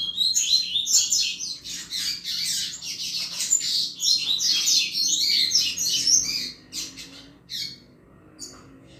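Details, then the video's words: Double-collared seedeater delivering the 'chuva' song style, used to excite and stimulate other males; dense, rapid, high twittering and buzzy warbles pour out almost continuously for six seconds, then break into short scattered bursts before fading. "Canto Chuva de Coleiro Top Para Esquentar Qualquer Coleiro!!!"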